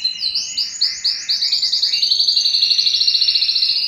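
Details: Yellow canary singing: bright high trills, opening with quick rising slurred notes, then settling into a rapid even rolling trill repeated several times a second.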